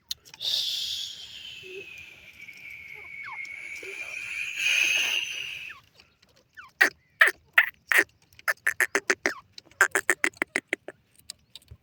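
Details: Female grey francolin calling near her chicks: a long, drawn-out, slightly falling whistled tone for several seconds, then rapid bursts of loud, harsh, clipped pulses.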